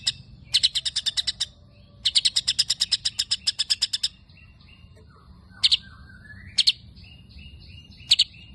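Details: A white-rumped shama sings long imitated sparrow phrases: two extended runs of rapid, sharp chirps, then single chirp pairs between soft, thin whistles and a slurred rising note.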